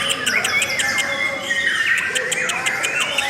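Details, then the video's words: Lovebird singing, described as beautiful and long: high, thin twittering with rhythmic sharp clicking ticks and squeaky slides, loud and unbroken throughout. "LOVE BIRDS suara yang indah dan Panjang"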